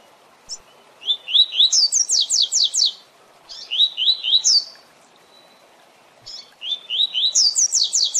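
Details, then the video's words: Double-collared seedeater giving its Tui Tui Zel Zel song for training captive birds: three phrases, each opening with rising whistled slurs and finishing in a rapid series of sharp, buzzy high notes. "Tui Tui Zel Zel Canto Para Treinamento e Encarte de Coleiros e Papa capim!!!"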